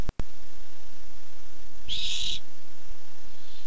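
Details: A single rasping, breathy screech of about half a second from a Barn owl seeking food, 7 August 2015, on a nest cam, preceded by two sharp clicks and followed by a faint trailing hiss.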